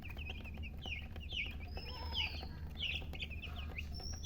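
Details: Chicks with a hen giving soft, high, looping peeps in short bursts, quieter and partly masked by a steady low hum and background noise.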